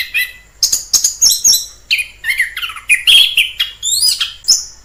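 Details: Orange-headed thrush singing in the wild: sharp high clicks and chips followed by fluid whistled phrases that swoop downward, then rising high notes toward the end.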